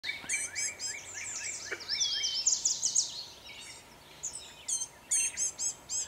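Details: An agitated Blue-gray Gnatcatcher gives thin, high, buzzy calls in quick bursts and scratchy chatters, about two a second, with a faint hum of background noise.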